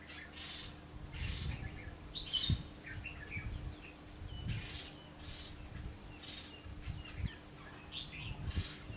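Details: Red-whiskered bulbul recorded during trapping with a decoy bird on 19 November 2015; short warbled, whistled phrases repeat roughly every second over steady low rumbling background noise and a faint constant hum.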